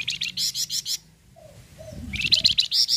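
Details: Flamboyan bird giving its full song, used to prompt other birds to sing: quick bright chirps, a pause with a few soft low notes, then another fast run of ringing chirps.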